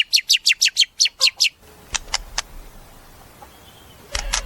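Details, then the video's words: White-rumped shama giving a fast run of eight sharp, high chirps at an even beat. A quieter pause follows with scattered clicks, then a burst of harsh high notes at the end. "Suara Murai"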